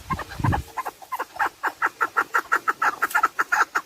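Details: A chukar partridge for hunting use. A low thud opens, then soft clucks swell into a clear, fast, regular chuck series.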